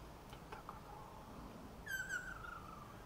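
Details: A male Ryukyu Ruddy Kingfisher on Ishigaki Island, holding a large earthworm, calls a female with one clear whistled note that slides downward over about a second. There is faint background hiss and a few soft clicks.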